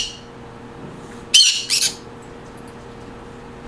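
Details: A green conure gives a loud rasping squawk followed closely by a shorter doubled one, then quiet with a low background hum; presented as sounds that create a happy mood.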